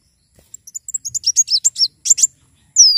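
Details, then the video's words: Javan sunbird singing eagerly: sparse high ticks speed up into a rapid, jittery series of thin chirps, ending with a long, bright whistle sliding downward. "Kolibri wulung gacor"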